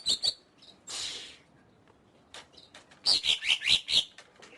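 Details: Greater green leafbird with sharp clicks, a hissing burst, then a run of five clear, loud whistled notes near the end.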